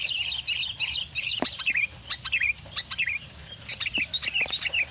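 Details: Morning song of a caged sooty-headed bulbul: busy, near-continuous chatter of squeaky chirps and slurred whistles, bursts following one another rapidly, over a low background hum.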